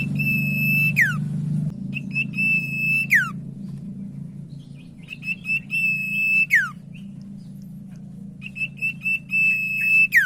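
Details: Lure song of a common iora, meant to set quiet ioras singing: repeated phrases of short high whistled notes running into a long level whistle, each ending in a sharp falling slur, every three seconds or so, with a low hum behind.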